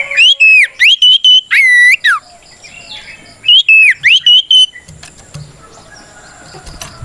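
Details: Loud oriental magpie-robin song meant to call out an opponent and goad other magpie-robins into replying: two bursts of clear, warbled and slurred whistles, then a few seconds of quiet background with faint clicks.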